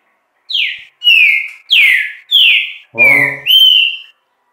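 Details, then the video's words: Green-winged saltator song: six loud clear whistled phrases, alternating sharply falling slurs and steady level whistles, delivered at a fast even pace with short gaps, plus a brief low voice underneath. "QUAL É O CANTO DESSE TRINCA FERRO DO INSCRITO?"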